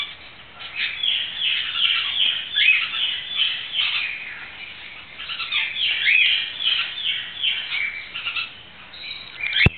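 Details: A green-cheeked conure, being held and rolled in the hand, chatters almost nonstop in quick, scratchy chirps and squeaks, about two or three a second, ending with a sharp click.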